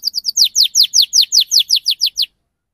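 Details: Canary chirping a tight series of about twelve loud, sharp notes sweeping steeply downward, evenly spaced about five per second, then silence; meant to prompt young canaries to start singing.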